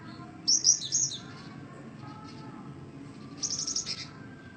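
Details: Song of a cinereous tit: two quick runs of high, sharp, chattering notes, the first loud and the second softer, roughly three seconds apart, with low humming background.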